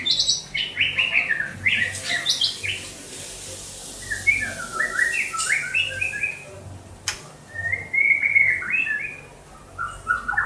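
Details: White-rumped shama from Banda Aceh singing a rich, varied song of clear whistled and chattering phrases, rapid note runs sweeping up and down, with brief pauses between bursts and a sharp click near the seventh second.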